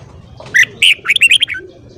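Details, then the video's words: Red-whiskered bulbul morning song for training a caged bird's voice: a short burst of loud clear whistled notes, two strong phrases followed by a quick run of five descending chirps. "Luyện giọng chào mào hót sáng"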